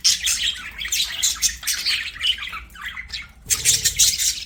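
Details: Budgerigars singing while at play: a busy, buzzy warble, then a short lull and a loud, dense burst of chirps toward the end.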